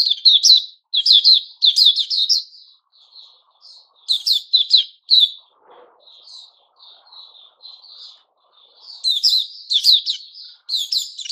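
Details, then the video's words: Puteh Raja (white-crowned shama) during its new-feather season sings dense, loud bursts of sharp rattling notes, then drops to softer, spaced whistled phrases in the middle before building again into vigorous rapid chatter. "Puteh Raja season new feathers"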